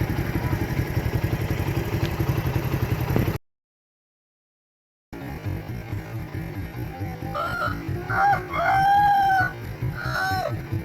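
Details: Aseel rooster crowing: a steady low rumbling noise, then a brief silence, then a wavering, harmonic crow late in the clip, partly masked by ongoing background noise.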